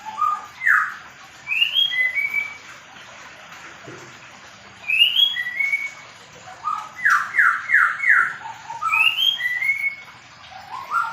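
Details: Medan-type white-rumped shama in a mini aviary during pairing, giving varied song: whistled upslurred and downslurred notes, high short rising phrases, then a quick run of four loud descending sweeps, with pauses between phrases.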